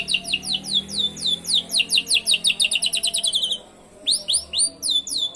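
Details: Asian pied starling song with canary imitations, a lure for other songbirds: rapid series of high falling chirps accelerating into a buzzy trill, a short silence, then more downward-swept chirps.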